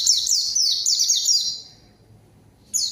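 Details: White-eye song used to draw a rival into answering: a rapid chain of high, sweeping descending whistles over a second and a half, then silence and one more note.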